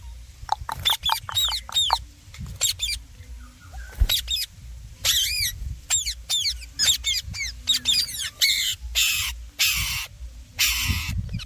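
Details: Rose-ringed parakeet, a talking ringneck, uttering a series of sharp arched chirps and short squeaks, ending with louder harsh, hissing bursts, over a low background rumble.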